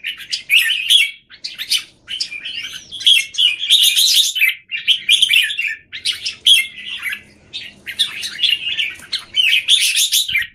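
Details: Red-whiskered bulbuls kept in cages in Singapore, one cage A bird set against several others, 17 January 2019; rapid, overlapping chirpy phrases with a few slurred whistles, delivered in bursts with short gaps.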